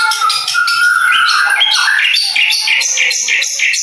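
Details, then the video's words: Long-tailed shrike from Madura, a contest bird called champion of every event, delivering a dense, continuous song: a long steady whistle at the start, then quick varied chirps and scratchy notes. "CENDET MADURA SANG RAJA.. Di STIAP IVENT"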